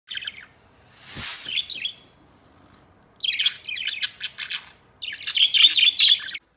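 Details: Three pet budgerigars playing together and getting along; bursts of scratchy, buzzy high chirps and warbles in three bouts separated by short pauses, with a soft rushing noise near the start.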